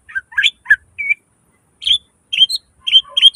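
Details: Greater green leafbird singing 'gacor' style with 'isian' mimicry fillers: sharp whistled chirps, some slurred, in short bursts separated by a brief pause.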